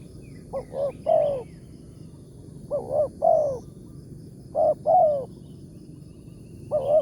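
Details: Big-voiced 'tarik akar' spotted dove, a wild target lured with a decoy in the morning. Hollow cooing phrases, two or three short notes and then a longer sliding coo, repeated about every two seconds against low rumbling noise.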